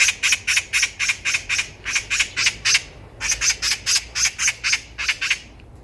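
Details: Eurasian magpie heard by chance on a walking path, calling loudly enough to echo around: harsh, rattling chatter notes at about four per second in two long runs separated by a short pause.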